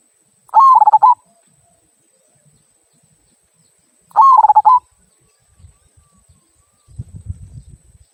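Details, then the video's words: A local zebra dove sings two "kung" phrases, the style used to coax other birds into singing, each a held coo breaking into fast pulses, about three and a half seconds apart, followed by low rumbling noise. "Perkutut Lokal Suara Kung, Cocok Untuk Pancingan"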